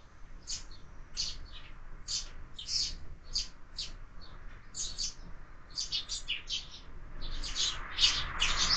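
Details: Sparrows clash over a feeder mounted on a window, fed all year, with evenly spaced high chirps at first, growing busier and denser toward the close over faint background hiss.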